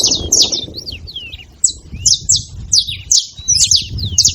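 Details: A group of saffron finches making noise together: varied high chirps, some curving and swooping notes, loose and irregular, with a brief lull in the middle and a low background rumble.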